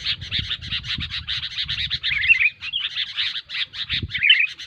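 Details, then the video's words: Kutilang, the sooty-headed bulbul, calling noisily: continuous scratchy chatter with a few bright, rising-and-falling whistled notes woven through, plus faint low rumbling beneath. "SUARA BURUNG KUTILANG RIBUT"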